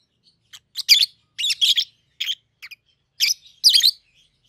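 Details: Peach-faced lovebird pair raised in captivity, colour mutations red-headed green opaline and red-faced dark green, about 7-8 months old; shrill grating chirps given singly and in doubled bursts with short silences between.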